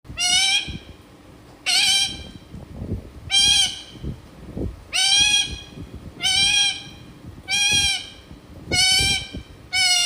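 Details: A parrot imitating a goat gives a nasal, rich-toned bleating 'meh' about every one and a half seconds, eight times, over faint background noise.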